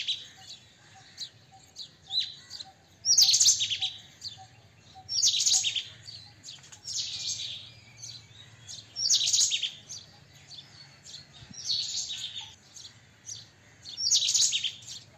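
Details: White-throated kingfisher, a tree kingfisher of Asia; a long series of harsh rasping chattering bursts recurring every two seconds or so, with fainter chips between and a light regular ticking tone early on.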